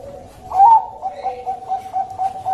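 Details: Bangkok-type zebra dove used as a lure sound: one louder rising coo, then a string of short, even, mellow cooing notes repeated roughly every quarter second, with faint background hiss.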